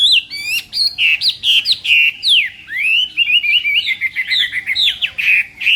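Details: Chinese hwamei in morning song training for contests: strong, clear whistled notes and long downward slurs, delivered in a quick, varied stream of phrases.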